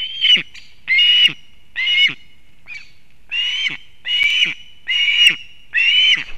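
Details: Osprey female delivering fish to the chick at a nest in Kurzeme, Latvia, late August 2024: a steady chain of about eight loud, shrill whistles, roughly one per second, each bright and slightly upslurred.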